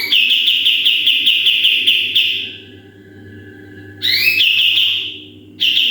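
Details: Sooty-headed bulbul in full 'tembakan' style, recorded as a model for other birds: a pulsing high trill for two seconds, a lull, then rising twin whistles leading into another fast trill, and a third burst at the end.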